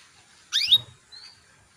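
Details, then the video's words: Female canary calling to males, used as a lure to get male canaries singing sooner: one sharp upward-sweeping chirp, then a short thin whistle a moment later, otherwise quiet. "PANCINGAN KENARI BETINA MEMANGGIL JANTAN"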